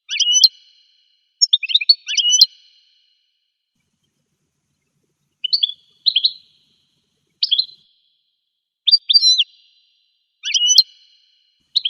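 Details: Wild American goldfinch singing irregular, twittering phrases: clusters of high, sharp, jumbled notes and slurred whistles, with a long quiet gap mid-way and spaced bursts over twelve seconds.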